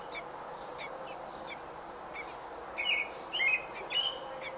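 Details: Nesting robin on June 5, 2018, nesting day 28: faint chirps early, then three clear high whistled notes with falling slurs near the end, against a constant low hum.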